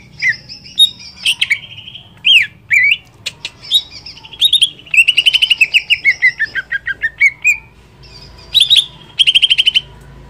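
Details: Greater green leafbird (cucak ijo) singing vigorously, used to provoke other leafbirds into agitated singing: slurred rising and falling whistles, then a fast run of about fifteen clipped descending notes, and a closing burst of rapid notes over a low hum.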